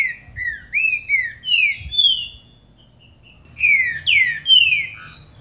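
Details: Green-winged saltator singing to stir up a captive bird: a phrase of five slurred, downward-sweeping whistles, a short silence, then three louder falling whistles and a brief lower note, with faint low background rumble.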